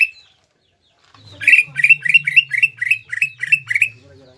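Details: After a brief silence, a caged Greater green leafbird breaks into about nine quick rasping, buzzy notes in a regular series, with a low hum running underneath.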